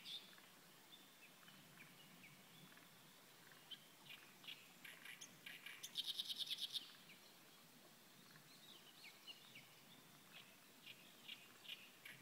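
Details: Reed warbler singing, faint scattered high chirps and ticks broken by one fast, even, rattling trill of about ten pulses near the middle, with quiet outdoor background.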